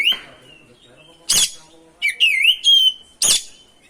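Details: Oriental magpie-robin singing gacor ngerol song, played to provoke other magpie-robins into singing: clear whistled notes near one pitch, two harsh broadband rasps, and a warbling, wavering whistle phrase between them.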